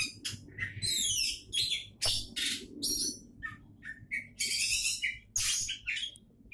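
An Oriental magpie-robin sings a loud, varied run of sharp whistles, buzzy trills and rapid chattering phrases, almost without pause, over a low background hum.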